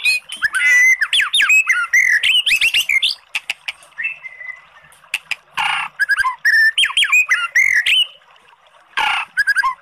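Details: Oriental magpie-robin song for provoking a sluggish bird to answer: dense tumbling whistles and sharp chirps, a drawn-out whistle, harsh raspy bursts, and quick varied phrases with brief gaps.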